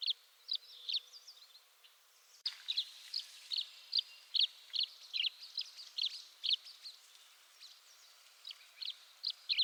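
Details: Rapid run of bright, short chirps from a tree swallow, fairly regular at roughly two per second, with a soft background hiss throughout.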